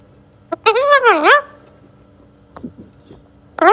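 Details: A young pet Alexandrine parakeet, presented as talking, makes one bold, harmonic, bending call lasting under a second, dipping then rising. Faint soft sounds follow, then another call starts at the very end.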